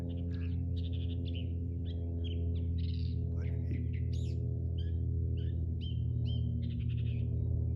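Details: California Thrasher singing, heard on a hike through the Hillside Wilderness Preserve in Monrovia, with a mockingbird-like song that keeps switching between varied phrases. It gives a jumble of chirps, slurred notes and short whistles over a strong, steady low hum.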